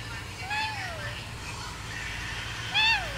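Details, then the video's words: Pet parrot imitating a cat's meow, giving two drawn-out, descending mew calls about two seconds apart, the second louder and sharper, with soft background rumble between them. "Parrot making Cat sound."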